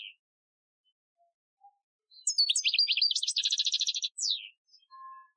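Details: European goldfinch singing an Algerian-style training song, recorded 2015: after near silence, a fast phrase of chattering high notes runs into a dense buzzy trill. The phrase ends in a sliding downward note, followed by a faint thin tone.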